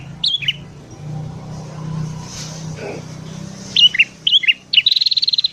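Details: ['Sooty-headed bulbul in morning song, used as a lure for wild birds: a short falling whistled phrase, then three quick chirpy phrases ending in a rapid buzzy trill, with a steady low hum behind.']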